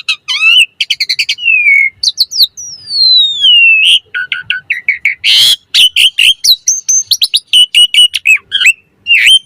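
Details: Asian pied starling song for training and luring birds: quick chip series, a long gliding descending whistle, a harsh noisy burst, then rapid sequences of short clear notes and repeated whistled slurs.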